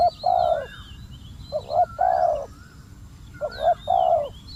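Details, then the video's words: Decoy spotted dove facing a combative wild dove, cooing a clipped note then a longer rounded one in three evenly spaced phrases, with thin whistles of small birds in the distance. "เสียงนกเขาใหญ่ เจ้าวุ่นวาย"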